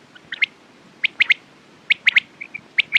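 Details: Crisp three-note quail phrases repeated roughly every second, each note sharp and high, with a couple of soft whistled chirps between phrases.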